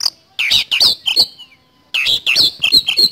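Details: Kacer, or Oriental magpie-robin, in loud 'nembak speed roll' song: quick clusters of sharp, scratchy notes with a slurred whistle between, two bursts about a second apart.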